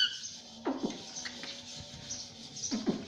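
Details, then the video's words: A pet parrot says the word "mummy" twice, about two seconds apart, in a nasal, voice-like tone over steady background hiss. "Mummy Mummy bolne wala tota _ Parrot Talking Mummy Mummy _ Talking Parrot"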